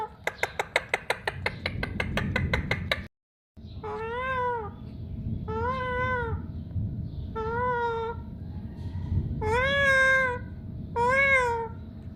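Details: Pakistani pet parrot talking indoors: a burst of fast rhythmic clicks, then five arched, meow-like wailing notes spaced roughly every one to two seconds, over a constant low hum.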